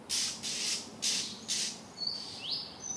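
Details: Oriental magpie-robin calling at night: four harsh, hissing screeches about half a second apart, then a few thin, high whistled notes, one sweeping upward.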